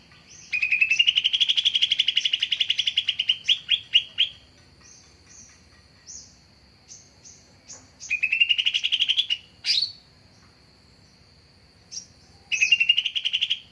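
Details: Lure call of a cucak ijo, a leafbird kept as a songbird: long loud pulsed trills gliding gently upward, interspersed with short sharp chips and clicks, the trill returning three times over a constant faint high whine.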